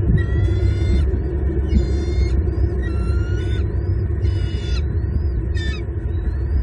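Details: Bald eagles at a Southwest Florida nest, with both parents on the nest at night trying to feed two full eaglets, caught by a live nest cam. Thin, high, harmonic chattering bursts come every one to two seconds, with short rising squeaks between, over steady low rumble.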